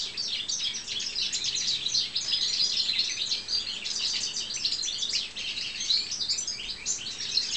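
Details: A pet European goldfinch (Carduelis carduelis balcanica) gives a dense, high, tinkling twitter of quick liquid notes, run together almost without pause, over a faint background hiss.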